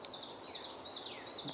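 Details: Common Yellowthroat singing on 27 May 2023: high, rolling warbled phrases repeated about twice a second, over a faint background hiss.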